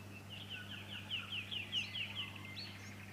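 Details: In Victoria, Australia, during September 2019, a Fuscous honeyeater utters a string of bright, slurred high notes, each sliding downward, delivered a little over two per second, then a brief rising note; a steady low hum runs throughout.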